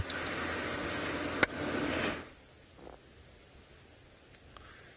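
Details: Loud rustling and handling noise with a sharp click for two seconds, then near silence with a few faint ticks.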